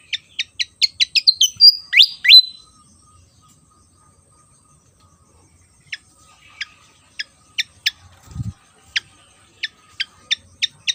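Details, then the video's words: Vigorous song of a Javan fantail from Java: a quick series of sharp chips builds into loud upslurred whistles, then spaced high chips return. A brief low thump sounds midway. "burung SIKATAN JAWA//SIKATAN KIPAS gacor"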